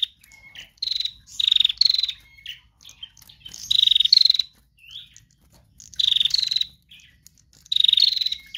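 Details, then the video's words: Female prinia giving trotol-style song, used as a lure for other birds: loud buzzy rattling bursts of rapid clicks, each about half a second, repeated every one to two seconds with short thin chirps between. "Prenjak Betina Lepas Trotol GACOR Narung Mantap"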